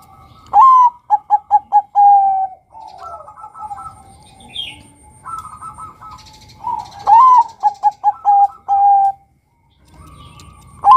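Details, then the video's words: Male Bangkok-type zebra dove calling to lure other males. Twice it gives a full phrase: a sharp rising note, a quick run of five clipped staccato coos, then a drawn-out falling coo. Softer, lower cooing fills the gaps between phrases. "PANGGILAN SUARA Perkutut BANGKOK Gacor Kutut Bangkok NEGEL MEMIKAT Suara PERKUTUT JANTAN agar BUNYI"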